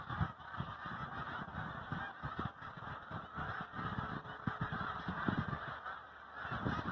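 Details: Snow geese on migration, a flock giving dense, overlapping nasal honks that run on without pause, with loud and quiet stretches and a steady low rumble beneath.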